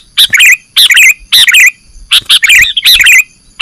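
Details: Sooty-headed bulbul lure sound for catching birds: loud, bubbly, wavering chirp phrases repeated roughly every half second in a steady, chattering rhythm.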